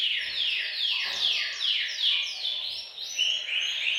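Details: Group of canaries singing in a bird room to spur males into song and prepare females for mating; a series of rapid downward-sweeping trill phrases repeat about every half second, overlapping in a dense, high chorus.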